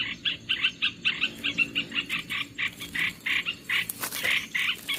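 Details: Lure call of the olive-winged bulbul for trapping wild birds, a fast run of bright chattering notes repeated several times a second, turning rougher and noisier toward the end.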